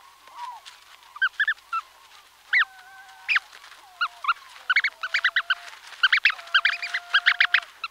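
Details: Close-up of Brant Goose goslings calling from inside their eggs: thin, sliding whistled peeps mixed with bursts of short, harsh, harmonic honking notes that grow denser and more rapid toward the end.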